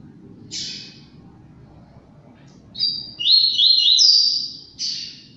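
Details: A captive-bred double-collared seedeater sings a brisk, high phrase: a buzzy opening note, then a rapid, rolling trill of bright chirps, over a low background hum.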